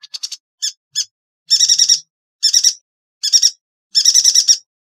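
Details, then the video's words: Yuhina song for training songbirds: opening quick chips, then rhythmic rattling trills of several sharp pulses each, repeated with gaps of roughly half a second, strong and clear. "Burung Yuhina - Tembakannya Nyelekittt Tajamm Terpercayaa...!!"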